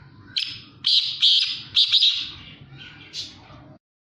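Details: A black francolin calls in a series of loud grating, buzzy notes: a short opener, then grouped rasping syllables, trailing off into softer harsh notes, with low rumbling underneath.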